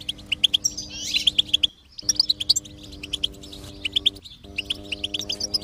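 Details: Goldfinch twittering song meant to encourage a silent goldfinch to sing: bright, rapid chirps in repeated bursts, with a brief break near the middle and a low steady hum behind.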